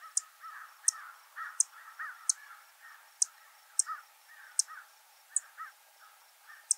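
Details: A Savannah sparrow in breeding season at Heaven Hill near Lake Placid, Essex County, on 19 June 2023, gives about ten sharp, very high, thin dry chip notes under a second apart, over lower, harsher calls of other birds.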